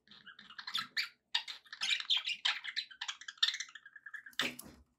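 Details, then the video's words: Indoor pet budgerigars warble in a tumbling mix of scratchy chirps, squeaks and a short level whistle, ending with a sharp loud squawk. "budgie sounds"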